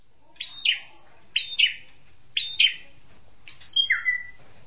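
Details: Drongo calling in paired sharp, slurred notes about once a second, ending in high whistles and a falling whistled note, over a faint low background hum.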